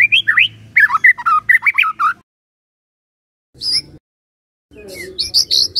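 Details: White-rumped shama song used as a morning lure for a silent shama: a quick burst of varied whistled and warbled notes, a pause, then high thin notes. A low steady hum runs underneath.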